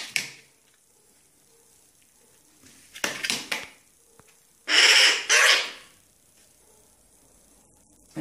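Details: Hungry young crow, fallen from its nest and found by some boys, calling while being hand-fed before release. It gives a few short rough calls, then two loud, harsh, rasping cries, with a person speaking Italian nearby.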